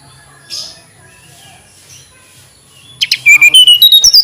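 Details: Tledekan gunung flycatcher, after a quiet stretch with a faint chirp, bursts into a loud phrase of whistled notes that step upward from low to high in rapid pulses.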